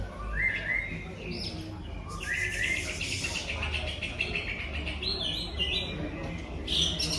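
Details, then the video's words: Greater green leafbird delivering a dense run of mimicked material, including tengkek udang and jinjing petulak phrases. Whistles and rapid chattering notes overlap in a busy stream, with faint voices and hum in the background. "COCAK IJO HONDA BONGKAR MATERI 🔥TENGKEK UDANG,JINJING PETULAK"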